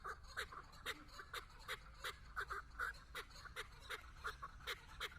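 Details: Chukar partridge kept as a hunting decoy, calling before a female: steady, rhythmic clucks about three per second, each short and throaty, carrying evenly over a quiet background.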